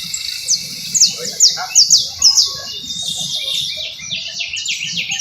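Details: Canary trilling: a string of bright, high, downward-slurred whistles about twice a second, then running into a rapid, rolling trill of short repeated notes. Soft low rumbling underneath.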